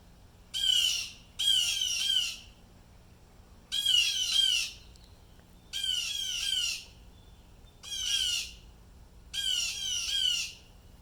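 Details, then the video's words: Blue jays going wild with alarm at an unseen disturbance: six loud bursts of harsh, grating screams, several doubled, repeated roughly every one to two seconds. "BLUE JAY BIRDS CALLING MAKING SOUNDS LIKE DISTRESS"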